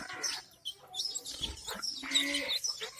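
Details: Mother hen and chicks; shrill, busy peeping from several chicks rises and falls in two loud bursts, with a soft low cluck under the second burst.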